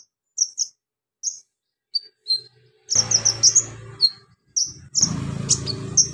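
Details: Javan magpie-robin, kept for training, singing in the energetic ngobra style with imitations of golden grasshopper, lovebird, cricket and cililin: sharp high whistled notes in short bursts, then denser chatter over low thumping and rattling noise.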